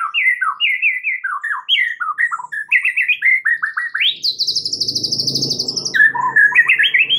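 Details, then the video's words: White-rumped shama lure song played to make other shamas reply: rapid, varied whistled phrases jumping up and down, then a fast high buzzy trill over a low rumbling background, ending in renewed whistled notes. "gak pakek lama dengar PANCINGAN murai Batu ini dengan CEPAT murai anda langsung NYAUT seketika"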